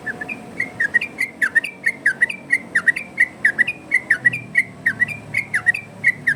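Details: Yellow-vented bulbul in varied 'ropel' song, used as a tutor and lure for other bulbuls: a long, rapid, nearly continuous run of loud liquid whistled notes, roughly one to two per second, over a low steady hum.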